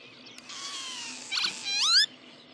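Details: Eurasian oystercatcher on meadows, 19 May 2013: a shrill, drawn-out piping whistle, then a brief harsh burst and a loud upward-sweeping note, over a quiet, steady background.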